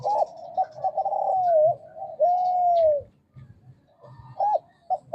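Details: Actively calling male spotted dove, Kelantan type, kept to lure reluctant doves into calling: a run of steady, drawn-out coos with a dip, then a long smooth coo, a pause, and short clipped coo notes.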